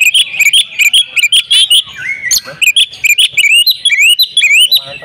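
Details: Female Oriental magpie-robin calling to a male to spur him into full song; loud, clear whistled notes, many sharply rising or looping, delivered in quick bursts with brief gaps, plus faint higher chirps.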